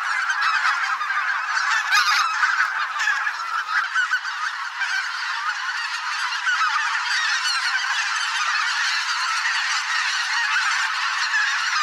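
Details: Thousands of migrating geese in a spring swamp, a mixed flock of greater white-fronted, bean, barnacle and pink-footed geese; a dense, continuous chorus of overlapping nasal honks and yelps, with individual calls lost in the steady wall of sound.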